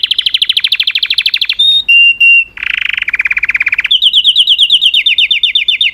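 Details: Singing canary delivering loud, rapid rolling trills: a fast high pulsed tour, brief pure whistles, a dense buzzy roll, then quick repeated chips with falling slurs, all clear and close with almost no background.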